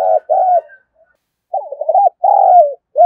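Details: Captive spotted dove kept as a calling lure for wild doves, giving low husky coos: two short notes, a pause, then a wavering phrase ending in a long drawn, slightly falling coo.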